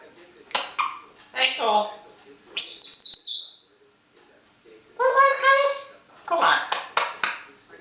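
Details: Talkative pet African grey parrot, secretly filmed with a camera left in place, giving speech-like phrases, a warbling high whistle around the middle, then more word-like bursts, indoors with no other clear sounds.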